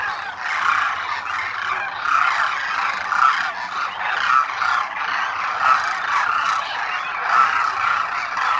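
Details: Thousands of wintering Demoiselle Cranes at a lake in Khichan, Rajasthan, India, where local people feed them each morning; continuous loud chorus of guttural rattling calls pulsing roughly once a second.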